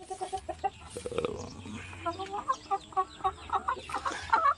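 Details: Chicken sounds, with a rooster about to mate with females: series of short low clucks repeated about every quarter second, with some background noise and murmuring.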